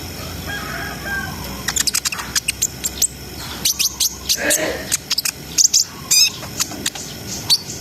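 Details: Brown-throated sunbird song in ngriwik-ngerol style, aimed at raising breeding arousal: after a quiet opening, a fast uneven run of thin, high ticks and chirps with a few whistled slurs, over a low steady background hum.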